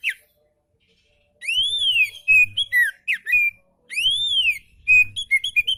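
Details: Relaxed oriental magpie-robin song for tutoring magpie-robins that are lazy to sing: two loud phrases, each opening with a long arched whistle followed by quick slurred notes and rapid chips, after a short silence.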